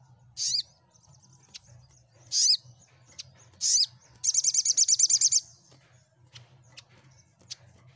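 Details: Sunbird known as sogok ontong, used to make silent birds sing in reply. Three sharp high chirps are spaced about a second apart, then comes a rapid rattling trill lasting a second. Faint ticks follow.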